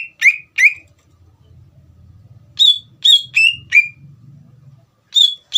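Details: Greater green leafbird singing as a lure meant to make another leafbird answer: scattered loud downslurred whistles in short bursts of two to four notes, with a faint low hum between them.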